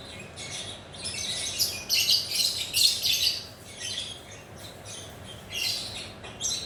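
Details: Lovebird perched at ease, chattering: loud bursts of rapid, shrill scratchy chirps in the middle, fading to softer squeaks, with a constant low hum in the background.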